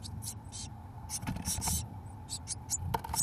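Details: Eurasian blue tit chicks, 17 days old, in a nest box as both parents bring mealworms; loud hissy begging bursts mixed with thumps and knocks from movement in the box, a sharp click near the end.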